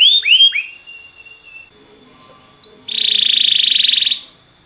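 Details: Canary song used for training canaries: three quick rising slurred notes, a pause, then a bright, buzzy, rapid trill held for about a second and a half.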